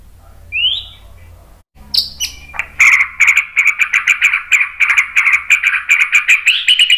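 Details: White-rumped shama singing as a lure for other birds to answer: a single rising whistle, a brief pause, then a long fast rattling trill with sharp high notes scattered through it.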